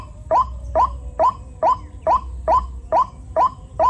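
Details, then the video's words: White-breasted waterhen in the rainy season, where many chicks are about: a short rising nasal note repeated about nine times, steadily every half second, with a low rumble beneath. "Musim hujan banyak anakan burung ruak-ruak"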